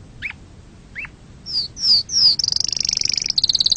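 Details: Canary song used to excite birds and teach chicks: two faint rising chirps, three loud high downward whistles, then a fast high buzzing trill.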